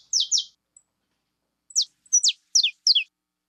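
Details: Saffron finch of the fibra type: a pair of sharp, high chirps sweeping steeply downward, a pause, then four more quick descending chirps in a loose series, with a quiet, clean background.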